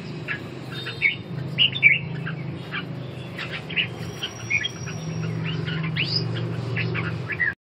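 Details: Red-whiskered bulbuls dueling in a đấu ché song contest; busy overlapping chirps and short warbled phrases throughout, with a low rumbling background hum in the middle and end.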